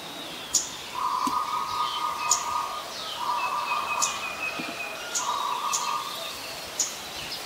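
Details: Male Scarlet-backed Flowerpecker (Dicaeum cruentatum), Ubon Ratchathani, Thailand, 18 February 2021: sharp, high clicking tik calls at irregular one-to-two-second intervals over a steady droning hum, likely insects.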